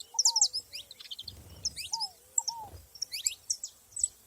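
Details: High clustered chirps and quick downslurred notes from saffron finches in nature, in short bursts with pauses. A lower arched whistle repeats from another bird, and a brief rustling noise is heard.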